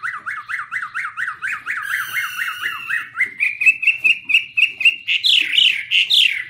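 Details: Singing Chinese hwamei (Garrulax canorus), wings waving, filmed 2017: a fast series of repeated clear whistled notes, each rising then dropping, several per second, shifting higher into steadier and then louder looping whistles; a brief rasping sound midway.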